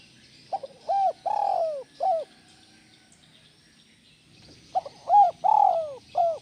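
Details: Spotted dove calling, used as sound therapy to get other doves calling: two phrases of short hooting notes building to a longer, falling, throaty coo and a final short note, separated by a pause of about two seconds.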